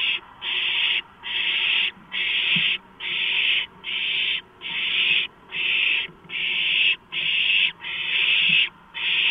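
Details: Owlets begging as a large rodent is delivered, 23 March 2015 around 12:52; harsh hissing screeches about half a second long, repeated steadily with short gaps, one after another for the whole stretch.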